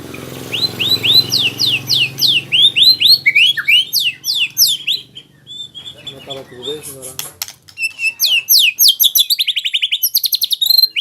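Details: White-rumped shama learning a rolling song: rapid runs of high, sharply rising whistled notes repeated several times a second in long bursts, with a low hum early on.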